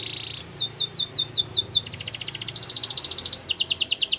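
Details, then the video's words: Russian canary flute singing: a soft buzz, then a row of crisp descending whistled slurs that speeds into a fast pulsed trill, over a faint low hum. "Russian Canary Flute Singing"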